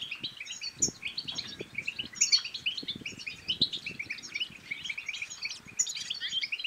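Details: Moroccan European goldfinch song meant to encourage singing and mating in other goldfinches: busy, unbroken chattering twitters with piercing high notes roughly every one to two seconds, over faint low knocks.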